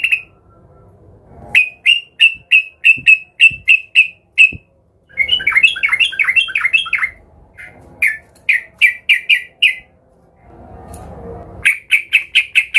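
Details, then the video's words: Sooty-headed bulbul singing excitedly while agitated and seeking a rival, used as a lure to make other bulbuls sing. Sharp bright chips repeat in quick runs, broken by a bubbly warbled phrase and short pauses with faint room noise. "Trucukan gacor EMOSI Mencari Lawan ini Paling pintar untuk pancingan trucukan agar bunyi gacor"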